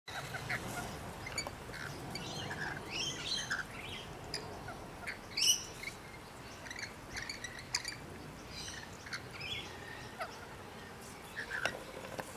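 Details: A pair of rainbow lorikeets (Trichoglossus moluccanus) sharing a piece of apple give brief, shrill, scratchy chirps and screeches in scattered bursts.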